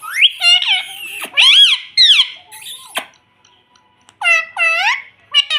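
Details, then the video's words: Pet Indian ringneck parrot indoors in a small room, giving loud harmonic squawks and warbling, talk-like phrases with rising and falling sweeps in bursts, a short silent gap midway, then more squealing phrases. "Indian Parrot talking || baby parrot sound || parrot talking || mummy bolne wala tota"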